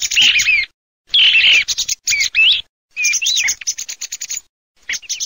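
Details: A song thrush sings loud, varied phrases about a second long, mixing clear whistles with scratchy, rattling notes, with short pauses between phrases.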